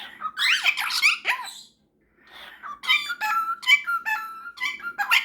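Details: Indoor exchange before bed between a pet cockatiel and a superb parrot: a dense, scratchy squawking burst, a short silence, then a run of quick repeated whistled chirps and squeaks, with laughter following.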